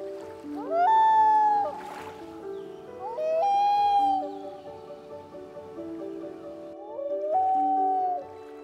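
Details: Common Loon on a Maine lake in summer, returned to breeding grounds to nest, giving three long, mournful notes that slide up then hold steady, about three seconds apart, over soft background music.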